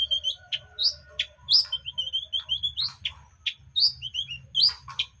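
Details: Long-tailed shrike, a young wild-caught bird, in continuous ngacor singing: clear whistled notes mixed with sharp, clipped chips and short rising squeaks, repeated in a steady, lively sequence.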